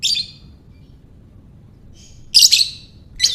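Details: Lovebird calling in ngekek style to spur other lovebirds: a scratchy shrill burst, a long pause, a faint squeak, then a louder harsh rattling double chirp and the start of another.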